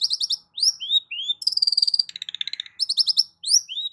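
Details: Long-tailed shrike singing as a lure for a non-singing shrike: quick chattering trills, upslurred whistles, a fast buzzing rattle and rapid stuttering notes, mixed in a varied, mimic-like medley.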